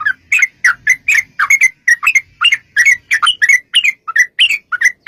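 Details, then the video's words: Sooty-headed bulbul in long rapid 'ropel panjang' style, used as a lure to make other bulbuls sing: a quick run of bright, bubbly chirped notes, about three to four a second, each sliding over a mid-high pitch, with no other clear sounds. "trucukan gacor TARUNG ROPEL PANJANG pancingan trucukan agar bunyi jadikan burung trucuk gacor NYAUT"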